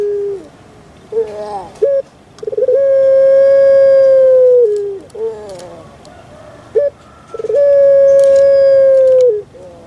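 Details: A kept Barbary dove (puter pelung) in Java gives two very long, steady, hollow coos of about three seconds each, each led by a few short clipped notes, its typical "kuk gerukkk kwokkk" call.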